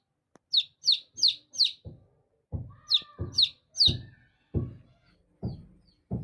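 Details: Baby chickens chirping: bursts of shrill, high, downslurred peeps in quick groups of three or four, alternating with low dull thumps and knocks.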